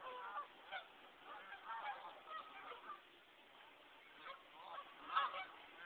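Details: Geese on Nashoba Brook, West Concord, Massachusetts, during a snowstorm on January 18, 2009: repeated nasal honks from several birds overlapping at uneven intervals, with a steady hiss of background noise.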